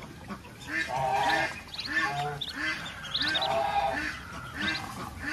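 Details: On a rural farm a mother duck leading ducklings to feed gives repeated throaty quacks, roughly one every second, over a chorus of high, chirping duckling peeps.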